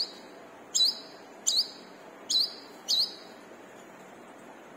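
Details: Brown-throated sunbird singing actively, a lure for caged birds; five bright, piercing chirps, each a quick down-up sweep, repeated about every half to one second.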